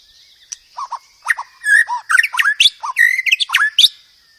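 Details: Training song of the white-rumped shama, rich in varied phrases for cage birds to learn: a busy, jumbled stream of short whistled notes leaping between low and high pitches, loudest in the middle.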